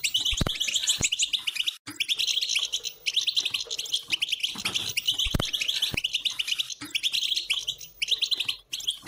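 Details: Song of a European goldfinch, meant to set a silent bird singing: fast liquid twitter of high chirps and trills in repeated bursts, with a few sharp low clicks.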